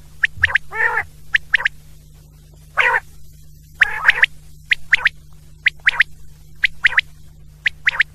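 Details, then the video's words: Quail calling at night: short, sharp notes in quick pairs and bursts, mixed with a few longer, rougher, buzzy notes, repeated throughout, over a steady low electrical hum. "Raat K Ley Batair ki New Awaz 2024 || Quail Sund 2024|| Night k Ley"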